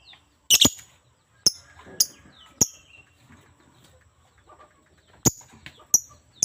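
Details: Lovebird uttering loud, sharp high chirps, a strong double call first, then single piercing notes at irregular gaps of about half a second to two seconds, with a quiet stretch in the middle.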